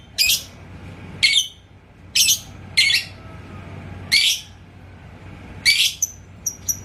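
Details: Yellow lovebird in Indonesia, coaxed to its ngekek chatter by a rival's song: seven short, harsh, bright chirping bursts at uneven gaps, the last ones clipped and quick, over a low room hum.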